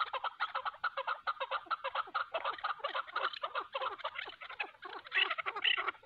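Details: Hunting decoy chukar and wild mountain chukar fighting; loud rapid chuk-chuk-chuk clucking, regular pulses about three per second blending into a continuous rattling chatter.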